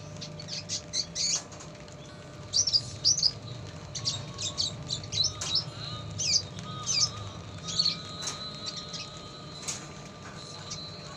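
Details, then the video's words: Active red siskin (pastol) song with lovebird-type fill: bursts of high chirps and twitters come in short clusters separated by pauses, with faint fluttering and a constant low background hum. "RED SISKIN PASTOL RAJIN BUNYI,ISIAN SUARA LOVEBIRD"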